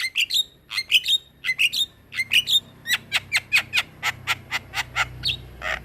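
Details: Rolling song of a black-winged myna, meant for teaching other mynas: rapid squawky whistled notes in quick groups, settling into a steady run of sharp chips at under a second apart.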